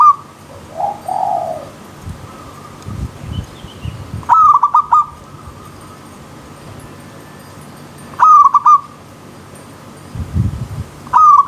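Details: Zebra dove (perkutut) song, set in wild nature with a pure river stream: three short bouts of clipped, pulsed cooing notes about four seconds apart. A softer lower warble comes early, a faint high note follows, and a steady background hiss runs throughout.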